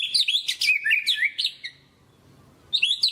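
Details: Murai batu, the white-rumped shama, singing 'gacor' as a lure recording: high, quick tumbling whistles and chirps in a dense burst, a short pause, then another bright phrase begins.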